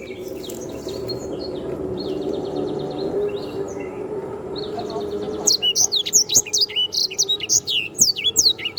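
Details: Canary tutor recording: several seconds of faint distant chatter over steady background noise, then a loud burst of rapid, high, sweeping whistled phrases.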